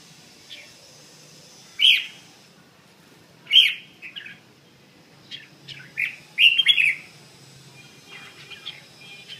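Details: Red-whiskered bulbul in bell-toned voice giving sharp high chirps spaced a second or two apart, ending in a brief cluster of rapid twittered notes over faint background hiss.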